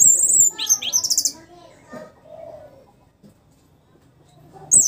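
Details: Post-moult caged orange-headed thrush: a loud run of very high, thin whistles and fast trilled notes, followed by near silence and one more sharp high note at the close.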